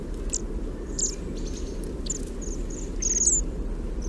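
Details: Bohemian waxwings giving quiet, low squeaky calls heard only at very close range, captured with a parabolic microphone; thin, high trilled notes come in quick overlapping bursts over a steady low rumble.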